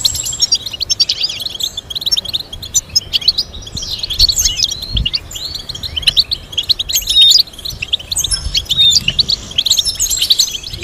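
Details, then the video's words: Long European goldfinch song used to teach goldfinches complex melodies: rambling, high twittering phrases mixing sharp chirps, rising slurs and buzzy trills, run together almost without pause for about eleven seconds. "Teaching goldfinch to sing complex stimulating melodies"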